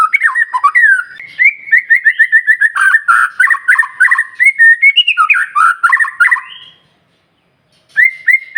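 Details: Singing White-rumped shama, meant to provoke rival shamas, delivering long, varied phrases of clear whistles and quick chattering notes at a rapid pace, with a short pause before the song resumes.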